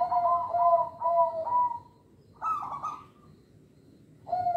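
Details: Zebra dove of local stock, singing to lure and train young birds: a run of rolling paired coos, a pause, a brighter stuttered phrase, then a low coo resuming.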